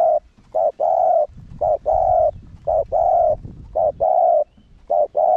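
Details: Spotted dove used as a decoy bird, cooing to provoke other doves into calling. It gives a steady series of low, hollow coos: a short note followed by a longer drawn-out one, repeated about every second, over a faint low rumble.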